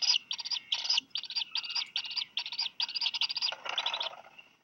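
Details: Nestling Black guillemots begging during a double fish delivery by the parents on Seal Island, Maine; rapid series of high raspy peeps, roughly two or three per second, ending in a harsher, broader call.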